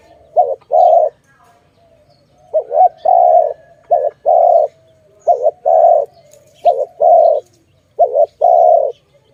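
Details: Cooing dove, recorded in a trapping setting: repeated phrases of a quick two-part coo leading into a longer level coo, about five phrases in a row.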